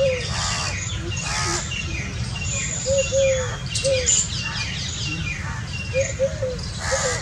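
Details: Indian scops owl family calling: brief, curved, hooting notes repeated in quick pairs and triplets, while harsh calls from other birds and a constant low background hum are also heard.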